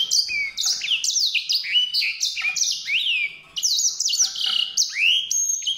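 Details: Continuous sweet warbling from a white-rumped seedeater: rapid high chirps and slurred whistles tumbling one after another, with a short pause midway and a rising upswept note near the close.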